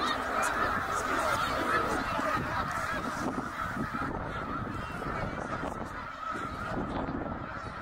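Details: Huge migrating snow goose flock at Middle Creek, Pennsylvania, in 2023, swirling through the sky: countless high, barking honks blend into a steady roar, with a faint low rumble underneath.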